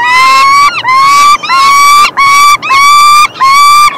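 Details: Peregrine falcon chicks begging while the male feeds them, 3 June 2024: loud, harsh, screaming calls with strong harmonics, each about half a second long, repeated in a steady run of about five screams.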